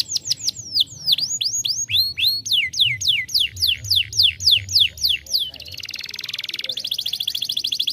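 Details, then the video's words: Young canary song meant to stimulate other birds: rapid high downward-sweeping whistles repeated in quick series, then a buzzy trilled section and a fast rattling run of notes. "estimula rapidamente o som de um jovem canário"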